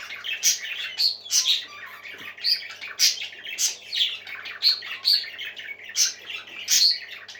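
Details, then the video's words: Lively parakeet chatter: sharp whistled notes and scratchy squawks pulse in fairly even bursts, around one or two per second, over a continuous twittering background. "Happy Parakeets Singing For Lonely Birds"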